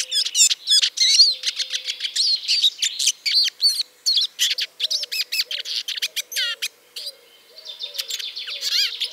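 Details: Eurasian siskin singing a long, dense twittering stream of high warbled and clicking notes, nearly continuous for about seven seconds before softer trailing phrases.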